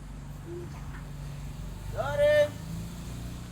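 A bird of prey gives a single short, strained, nasal call that dips slightly at the start, over a steady low rumble.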